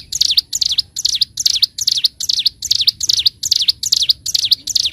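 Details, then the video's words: Bar-winged prinia, locally called ciblek gunung, singing a training master: rapid series of sharp high chirps, each a quick descending-then-rising sweep, about eleven in five seconds, steady and loud, clean background. "Masteran Burung CIBLEK GUNUNG (CIGUN) Gacor N3mbak, Ngebren - Suara Jernih Durasi Panjang"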